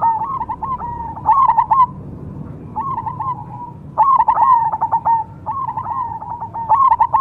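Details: Zebra dove, Cemani variety, repeating its cooing song about every one and a half seconds: each phrase a flurry of sharp pulsed notes followed by a drawn-out purring trill.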